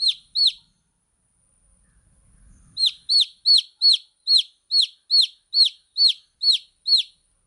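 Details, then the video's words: Baby chicks chirping: two high, downward-sliding peeps, a short quiet gap, then a steady run of eleven similar sharp peeps about three per second. "Cute Baby Chicks Chirping Sound"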